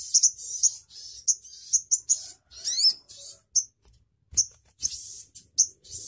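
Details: Crimson sunbird singing in an irregular string of very high, sharp chirps and squeaky whistles, some notes paired, one slurred rising squeal, with short gaps of silence between bursts.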